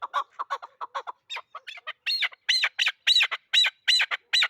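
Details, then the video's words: Bird used for hunting, a chukar partridge, starting with quick low clucks and then building into loud, strident repeated chuk-ar phrases, each lasting about a quarter second. "Кабки Дулангибрид"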